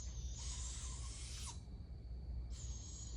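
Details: Juvenile barred owls begging while an adult feeds them: a long, harsh, hissing screech lasting about a second and a half, then a second screech after a short pause. A steady high whine and low rumble sit underneath.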